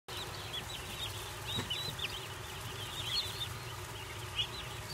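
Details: Baby turkey poults just arrived at the farm, a group chirping: many faint high peeping notes scattered throughout, some with short rising-falling inflections, over a steady low background hum.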